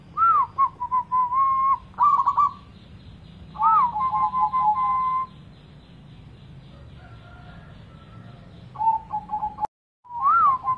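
Zebra dove giving soft, whistled coos: each phrase opens with a quick rising-and-falling flourish, then holds a steady tone. Phrases recur every couple of seconds, with a quiet pause midway.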